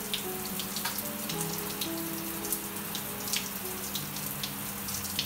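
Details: Running water and spattering drops over soft, steady musical tones, with no animal calls audible.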